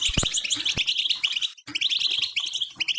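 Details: Goldfinch mating song, used to encourage silent or shy goldfinches to sing: rapid high twittering and jingling chatter in continuous bursts, briefly pausing, with some low knocks near the start.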